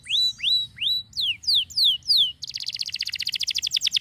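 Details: Canary song opening with rising then falling whistled slurs spaced about a third of a second apart, breaking into a fast, dense rattling trill of rapid notes.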